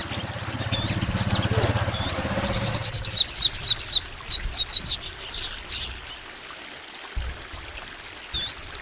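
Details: Crimson sunbird, known locally as sogon, in a recording meant to prompt kept sunbirds to sing; a long, energetic run of very high, sharp chips and thin rising whistles, dense at first, then sparser, with a low rumble beneath.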